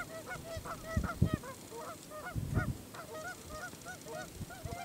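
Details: At Kellys Slough NWR, North Dakota, on 6 April 2013, a Canada goose honks in disgust at an approaching videographer: a dense, overlapping chorus of nasal two-part honks, several per second, over low rumbling wind or handling noise.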